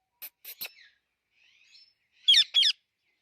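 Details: Alexandrine parakeet with three short scratchy notes, a faint soft murmur, then two loud, sharp squawks in quick succession.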